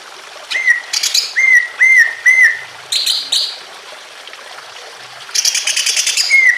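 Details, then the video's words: Greater green leafbird in emotional song with trickling water, for prompting other leafbirds: rising-falling whistled notes repeated about every half second, interrupted by buzzy harsh bursts and a long scratchy rattling passage. "BIKIN CUCAK IJO LAIN IKUT BUNYI EMOSI"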